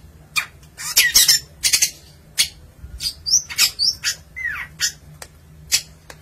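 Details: Long-tailed shrike song: a run of harsh, loud chattering bursts and squawks mixed with short clear whistles and one drawn-out descending note, delivered in quick irregular phrases with brief pauses.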